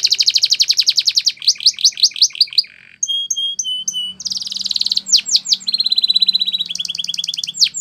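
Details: Belgian canary training song, highly varied: fast trills, a short buzzy drop, pure piping notes, a rich warbled passage, sweeping whistles and quick rolling phrases.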